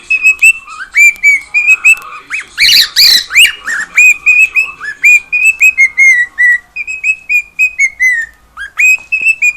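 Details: Singing pet cockatiel at home, delivering a long steady string of short flat whistles, with a harsh noisy burst near the start and a few upswept notes toward the end.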